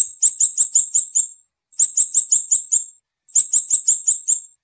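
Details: Scarlet-backed flowerpecker repeating a phrase of six or seven quick, very high ringing notes, about once every one and a half seconds, three phrases in a row, clean and close.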